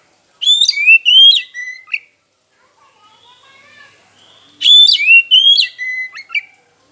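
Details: An oriental magpie-robin sings a lure phrase to make rivals respond: two matching bursts of bright whistles with sliding and dropping notes, separated by a quiet gap with soft distant chirps.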